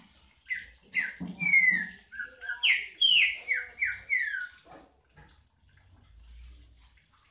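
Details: Green-winged saltator singing a rich phrase of about ten loud, clear whistled notes, mostly short downslurs, delivered in quick succession over about four seconds, then quiet with faint background hiss.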